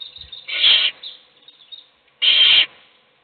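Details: Owl in a nest box feeding one chick while the other chicks sleep; two harsh, hissing screech bursts, each about half a second long, about a second and a half apart, with faint rustling between.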